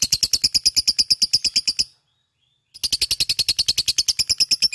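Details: Lovebird fighter in full ngekek, its long chattering song: fast, evenly pulsed high scratchy notes, roughly eight per second, stopping for under a second midway before resuming at the same pace.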